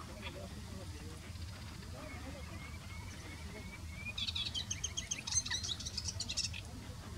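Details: Moustached warbler (Acrocephalus melanopogon) song, one of at least 10 singing males on a morning at Al Asfar Lake, Eastern Province, Saudi Arabia, a known breeding site: thin high notes, then a fast, bright chattering run, over a low wind rumble.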